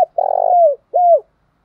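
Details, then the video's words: Spotted dove coo meant to provoke rivals to fight, ending a phrase: a long buzzy, pulsing coo that drops in pitch at its tail, followed after a brief gap by one clear arched hoot. "Tiếng chim cu gáy kích bổi nhanh nổi"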